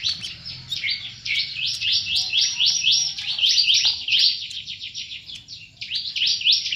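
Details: Caged plain-throated sunbird from Subang, West Java, singing in full, energetic voice: rapid high chirpy phrases of sweeping notes, repeated almost continuously with a brief pause near the middle, over a faint low background hum.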